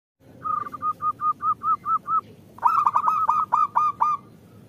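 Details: Local female zebra dove calling to males, a recording used to lure lazy males into singing: a run of short, even, hooting notes, then a louder, rougher burst of quick repeated notes with a buzzy edge.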